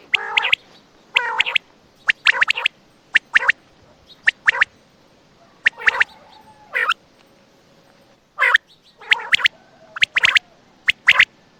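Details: .Quail (batair) calling at night near Attock: sharp clipped notes in quick pairs and triplets with short rough nasal bursts, separated by pauses of about a second, over a quiet background.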